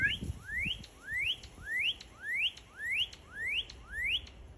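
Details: A cardinal sings a steady string of seven upslurred whistles, each climbing smoothly and clipped at the top, repeated roughly every half second; a few soft low thumps at the start.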